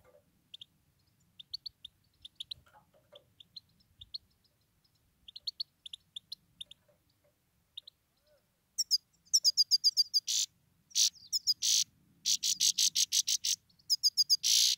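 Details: A male grey-crowned (Himalayan) goldfinch that nearly died gives soft, high tinkling twitters, then loud, harsh, buzzy chatters repeated in quick series.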